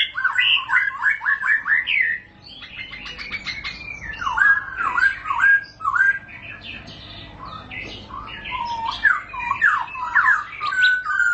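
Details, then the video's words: White-rumped shama performing ngerol panjang song, a long rolling delivery: varied bursts of whistled, twisting notes and short clicks, with softer gaps between phrases. "para raja murai batu ngerol panjang"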